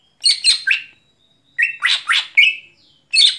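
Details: Night-time singing of a greater green leafbird, harsh chattering notes in tight groups of three, then a longer buzzy slurred note fading out, with a thin high whistle between phrases.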